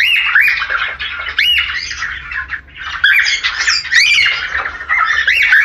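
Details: Falk parakeet mating call intended to stimulate breeding: continuous raspy warbling with arched, whistled chirps rising and falling among harsh squawks, louder in the second half.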